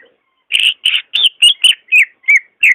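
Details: Greater green leafbird song, a recording offered to prompt a caged bird that is slow to sing: eight bright whistled notes around the middle-high range, each about a quarter second, repeated steadily with short gaps.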